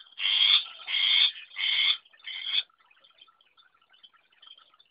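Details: Long-tailed shrike whose song is described as still simple: four harsh, raspy bursts in quick succession over about two and a half seconds, followed by faint scattered soft notes in near silence.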